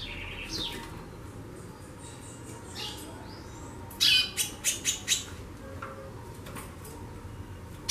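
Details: A female White-bellied seedeater xaxando a lot: quiet thin whistled notes at first, then a loud burst followed by five sharp, high ticks in quick, evenly spaced succession.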